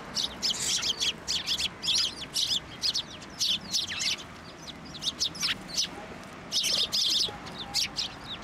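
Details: A flock of sparrows crowds onto an outstretched hand for food at a Tenmangu shrine in March 2024, giving dense overlapping high chirps almost without pause, with a few downslurred notes.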